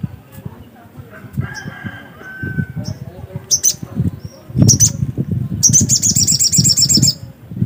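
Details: Black-capped white-eye singing: scattered thin high notes, then a fast run of bright, repeated twittering chirps near the end, over low rumbling background noise.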